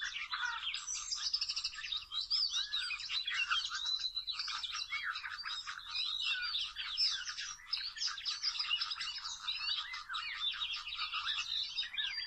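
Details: Long, dense outpouring from a wild Oriental magpie-robin during rope trapping: rapid, varied chattering and whistled phrases pour on for over twelve seconds with barely a pause, shrill and scratchy.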